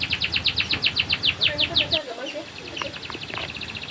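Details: Rolling canary song meant to teach young birds: a loud, evenly pulsed trill of sharp repeated notes, about eight per second, giving way to a fainter, quicker buzzing roll with scattered clicks.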